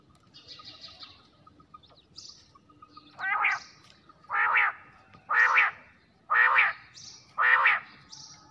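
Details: Quail calling at night: five harsh, buzzy notes, each about half a second long, repeat roughly once a second, with faint short high notes in between.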